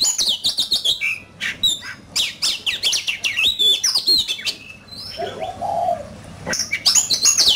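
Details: Competitive singing by a caged oriental magpie-robin: dense run of rapid sharp chips and whistles, a pause with a softer low warble, then loud high whistled notes resume.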